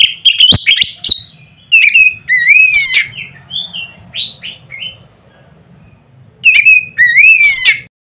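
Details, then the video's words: White-rumped shama singing loudly to stir up rival birds: sharp clicks and chips, then sweeping upward whistles, a series of short varied notes, and after a pause a final rising whistled phrase with a buzzy end. "nada keras bikin burung Kacer lain ngeplong."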